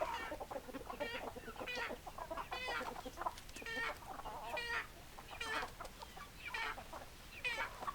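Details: Chickens giving a busy run of loud, harsh, stacked clucks and squawks, about one a second and irregularly spaced, with softer clucking between them.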